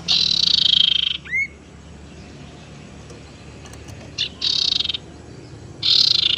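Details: Tailorbird lure sound of the sirtu teras type, used to trap birds and to coax silent ones into singing: three loud, fast buzzy trills, high-pitched and evenly pulsed, separated by short pauses and brief upslurred notes.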